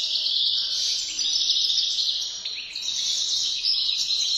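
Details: European goldfinch singing in a cage during mating: a continuous, rapid, high twittering with liquid trills and buzzy notes, repeated without pause.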